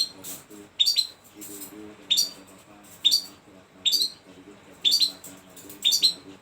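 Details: Shrike singing a string of short, sharp high notes in separate bursts, each a quick chirp with a slurred squeak, repeated about once a second over a faint low hum.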